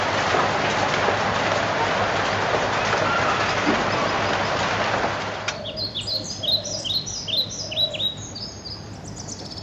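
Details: A four-month-old White-crowned shama sings clear, varied whistles, sliding up and down in quick phrases, while taking an afternoon bath; about five seconds of loud splashing water come first.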